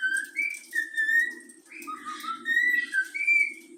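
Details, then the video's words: A young yellow-cheeked cockatiel kept as a pet whistles part of the Flamengo anthem, with pure notes alternating between two pitches and a brief warbled passage midway, over a constant low background hum. "Bochecha amarela cantando o hino do flamengo"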